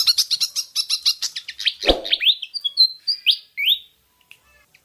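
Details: Pied fantail, locally kipasan, singing on a lure recording: a rapid, even series of short high notes speeds into downslurred phrases, broken by one low thump, then two rising whistles before quiet.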